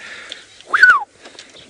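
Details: A Black-headed Oriole (Oriolus larvatus) in Sabi Sand near Kruger Park, South Africa, on a cold early morning in May gives one liquid, fluty whistle slurring down from high to low in about a third of a second, over faint hiss.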